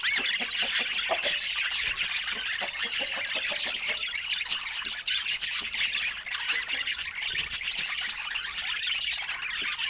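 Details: Pet budgerigars chattering nonstop: dense overlapping high chirps, squawks and warbles from several birds, with sharper squeaks standing out now and then across ten seconds.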